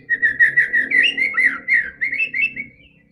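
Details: White-rumped shama song intended to start a quiet bird singing: a continuous run of short whistled notes around a steady mid pitch, slightly wavering, with a soft low hum underneath.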